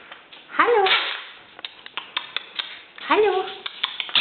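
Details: Tame, hand-reared Eurasian magpie, rescued as a featherless nestling, mimicking human speech ("Hallo"): two hoarse, voice-like phrases about two and a half seconds apart, separated by sharp clicks and taps.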